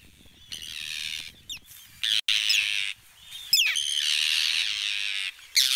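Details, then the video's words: Arctic terns dive-bomb and mob the recordist at Trékyllisvík on Iceland's Strandir coast, giving harsh, grating alarm calls, long rasping screeches broken by sharp chirps, in rapid bursts. "Attack of the Arctic Terns"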